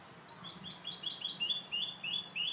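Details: Short burst of clean song (canto limpio) from a goldfinch hybrid kept for training: a quick run of bright, repeated chirped notes stepping along at a high pitch, with a faint low hum behind.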